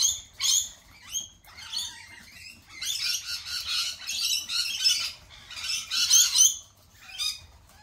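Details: Lorikeets giving sharp, piercing squawks, first a few separate shrieks, then a dense run of overlapping scratchy calls that swells and fades in waves before a final lone screech.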